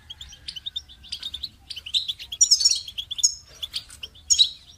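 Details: Goldfinch song, a busy run of bright twittering chirps and short buzzy notes in quick, irregular bursts, with a few sharper high accents near the end.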